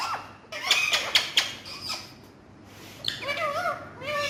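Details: Naughty talking parrots: sharp clicks and rough chatter at first, a quiet gap, then wavering, nasal harmonic calls rising and falling.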